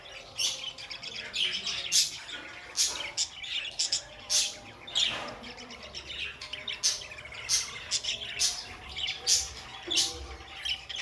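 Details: Pet budgerigars chirping busily: a steady stream of high, sharp chirps and clicks in quick irregular bursts, with a faint low hum beneath.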